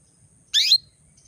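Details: Female canary call meant to bring males into breeding condition: a single short, bright chirp sliding downward, with a rough buzzy top, in otherwise quiet surroundings.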